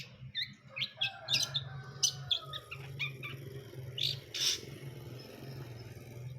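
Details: Long-tailed shrike singing, labelled as brundol: scattered harsh, scratchy bursts and short thin whistles at uneven intervals over a steady low hum.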